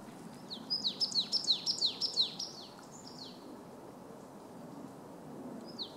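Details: Marsh tit singing, a fast series of about seven descending high whistled notes repeated in quick succession, followed by quiet and one more note near the end, over steady low background noise.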